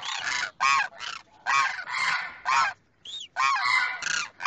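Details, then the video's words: A male demoiselle crane calling to a female, one of a pair, giving hoarse, rasping, honk-like croaks, about eight in quick, uneven succession with short gaps between them. "demoiselle crane sound"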